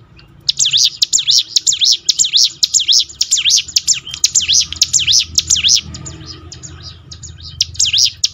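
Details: Prinia song used to encourage birds to sing more: a sustained run of quick, shrill, wavering whistled notes repeated about twice a second for five seconds, then scattered thin chirps.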